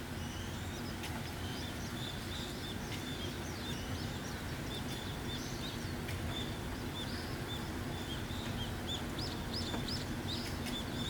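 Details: Birds singing in early-morning rain: steady heavy rainfall hiss throughout, with scattered short high chirps and whistled notes breaking through, a few clearer upswept chirps near the end.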